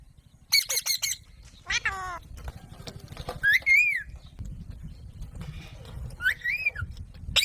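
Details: Harsh, grating squawks from an Alexandrine parakeet mixed with clearer whistled notes that rise and fall, spaced a few seconds apart against a constant low background hum.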